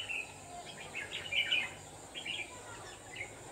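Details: Red-whiskered bulbul decoy bird used for trapping in the late afternoon of 29 November 2018, giving short bright warbled phrases in quick bursts, with a steady high hiss and faint insect noise behind.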